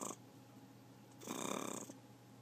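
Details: Growl from a talking pet macaw, a single raspy burst lasting under a second with a rapid rattling pulse, preceded by the tail of an earlier harsh sound; quiet room otherwise.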